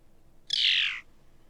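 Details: A Phainopepla in the Nevada desert gives its hard trilling call: one harsh, buzzy, trilled note, about half a second long and dropping slightly in pitch, against a quiet background.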